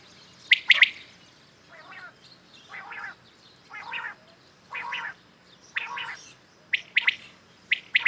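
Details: Morning calls of common quails: sharp triple-pulsed phrases at the start and end, with softer, nasal, moaning notes repeated roughly once a second between them.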